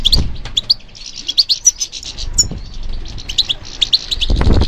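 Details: European goldfinch answering stimulation with a dense, continuous high twitter of rapid chirps and a few whistled slurs, over low thumping knocks at the start and end.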